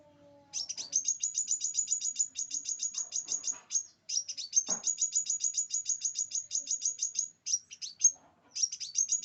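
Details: Scarlet minivet singing for bird tutoring: long, fast trains of sharp, high, descending chirps, some notes slightly burred, separated by brief gaps, with a few soft low clicks and a knock in the background.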